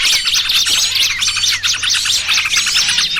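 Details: Small-bird trapping lure blending noisy trucukan with 'burcil kejepit' sounds: many high chirps and quick rising-falling twitters packed tightly together, roughly two notes per second standing out from the busy chorus.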